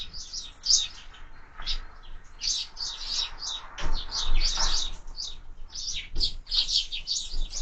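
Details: Sparrows at breakfast on feeders mounted on a window, calling steadily: dense high chirps and tweets overlap through the whole stretch, with soft low bumps from the feeder below.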